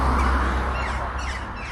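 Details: Crows cawing over and over near the village of Saty, Kazakhstan, late morning around half past eleven; harsh, hoarse caws with layered overtones sit above a steady low rumble, fading slightly over under two seconds.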